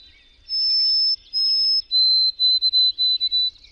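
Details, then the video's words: White-throated sparrow singing a clear whistled song: two long, steady high notes, then a slightly lower whistle broken into quick repeated triplet notes, a clean pure-toned phrase lasting about three seconds over a quiet background. "White-throated Sparrow: Whistler of the North"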